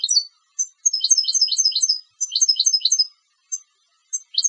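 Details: Contest goldfinch twittering in short bursts of quick bright notes, each burst about a second long with brief gaps between, the notes high and jingling.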